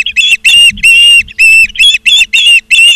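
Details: Osprey at the nest, Charlo, Montana, 17 August 2023, 16:04: long, loud, harsh squealing whistles are drawn out, each lasting up to half a second. They come in a broken series of about seven, very strong and slightly rasping.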